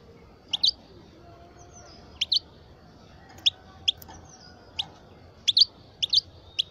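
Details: European goldfinch of the parva form, a 12-year-old bird, singing: short, sharp high chirps and twittered note clusters spaced a second or more apart, with faint low tones in the background.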